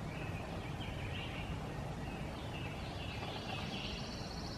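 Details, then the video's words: Acadian flycatcher, a male, in Liberty County, Texas, on May 6, 2017, calling and chattering in flight: faint short slurred notes and a buzzy trill, almost buried under loud, steady, low rumbling noise. "Acadian Flycatcher (Empidonax virescens) Calling, Coughing up a Pellet and Chattering as He Flies"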